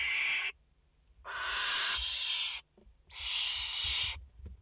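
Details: Barn owl family at a nest in France, a mother with four chicks, 30 August 2021, live nest camera: three long, harsh, rasping hisses of about a second each, separated by short silences.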